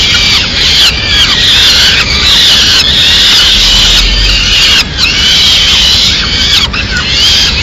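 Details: Peregrine falcon chicks, Madrid, begging as the female delivers a small bird; drawn-out shrill screeches with falling and rising inflections, a few short breaks, light low background rumble.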